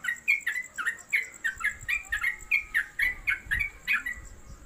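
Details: Yellow-vented bulbul (trucuk), kept caged at home, delivering a quick ropelan song. Bright, slurred chirps come in an uneven run, with a thin constant high-pitched whine and faint low knocks underneath.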